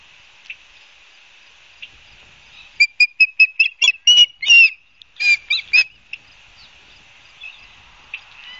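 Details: At an osprey nest in Barnegat Light, New Jersey, 12 September 2022, a rapid string of high, slightly harsh whistled chirps rises in the middle, with fainter isolated notes before and after over soft hiss.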